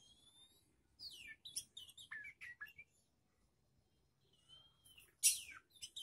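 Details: Magpie-robin youngster kept for training, exposed to other birds to test its nerve: clipped staccato chirps and sliding notes for two seconds, a pause, then a long level whistle and a loud harsh burst.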